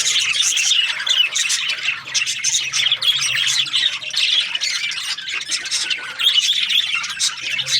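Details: Budgerigars, budgie parakeets, chirping as a group: a dense, continuous chatter of scratchy squawks and quick warbled chirps, overlapping without pause, with a faint low hum beneath.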